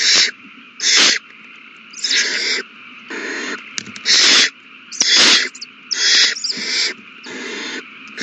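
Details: Owl chicks in a nest being fed on 27 March 2020, all eating well; harsh, noisy hissing bursts of about half a second, roughly one per second, over a steady electrical hum.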